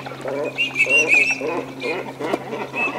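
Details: Courting Eurasian teal on a Spanish wetland, Aiguamolls de l'Empordà Natural Park, 25 December 2015, winter: high trilled whistles overlap with lower nasal, rapid chattering bursts from several birds in a busy mixed chorus.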